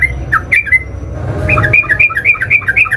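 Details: Sooty-headed bulbul, described as a combative singer that draws replies from any bulbul: a few scattered chirps, a brief pause with low rumble, then a fast rattling burst of bright, up-and-down notes.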